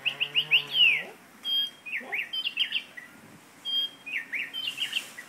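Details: A caged parrot sings a run of short, bright chirped whistles, some sliding up or down, repeated in loose clusters with brief pauses, over a low steady hum.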